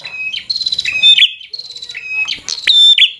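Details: Bar-winged prinia in aggressive song meant to rile a rival: rapid pulsing trills stepping between higher and lower pitches, ending in sharp bright chirps.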